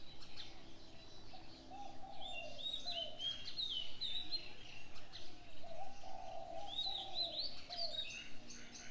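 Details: Early-morning bird chorus: clear whistled phrases that rise and fall, repeated several times, over low mellow coos and faint, steady ambient noise.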